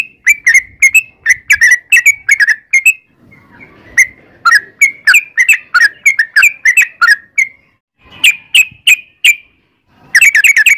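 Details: Lure recording of a vigorously singing yellow-vented bulbul (trucukan): dense runs of chirpy, bubbling whistled notes, a brief lull, then more clipped phrases, ending in a rapid burst.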